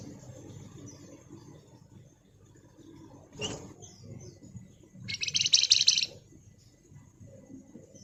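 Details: Pied fantail (flamboyan) in ngebren song, a single quick, buzzy chattering burst lasting about a second, heard over steady low background noise and a brief knock.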